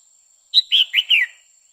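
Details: Female red-whiskered bulbul singing to excite a male: a quick phrase of four bright, slurred chirping notes, the last sliding downward, over a faint steady high electronic whine.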